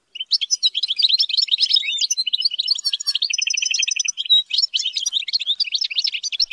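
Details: European goldfinch raised in captivity and trained to sing high-pitched song: rapid, tinkling twitter of high notes, with a brief buzzy harmonic passage in the middle, continuous throughout.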